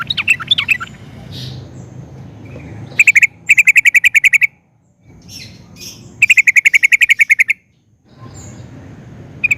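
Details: Lively sooty-headed bulbul, used as a lure for other bulbuls: a few twittering notes, then two bursts of rapid, evenly spaced bubbly chirps separated by quiet pauses and low background murmur.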